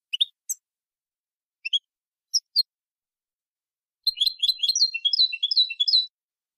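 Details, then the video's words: European goldfinch song in the copia malaga style, meant for training young birds: scattered short sharp notes, then a sustained run of rapid rolling twitters and liquid trills. "تغريد حسون كوبيا مالقا لتلقين الفراخ ©chant copia malaga chardonneret 2020"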